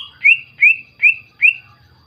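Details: Greater green leafbird whistling to goad other leafbirds into song: four clear upslurred notes about every 0.4 seconds, bright and ringing, over a faint steady hum.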